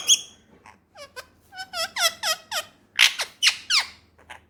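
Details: Pakistani pet ringneck parrot, male, talking in a string of rapid, evenly spaced downslurred syllables followed by harsher, louder word-like bursts.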